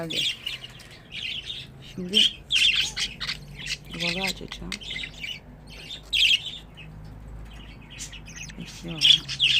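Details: Pet budgerigars chatter in fast, scratchy warbles and chirps, bursting in and out every second or two, with a person's voice speaking briefly a few times.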